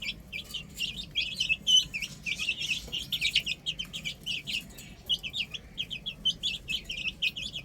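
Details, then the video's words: A flock of chicks playing on a roof keeps up dense, overlapping high peeps, each note short and bent, repeated several times a second. "Adorable Chicks Chirping Sounds | Amazing Baby Hen Playing On Roof"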